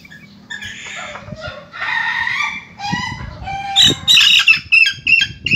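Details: Young Ayam Ketawa (laughing chicken) in full voice: a rough run of harmonic, chattering syllables, then sharper, higher squealing notes in quick bursts, roughly two or three per second, near the end.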